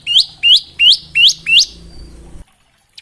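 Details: Bar-winged prinia, from a recording used to tutor young prinias: five loud sharply rising upslurred notes, evenly spaced about every third of a second, then silence.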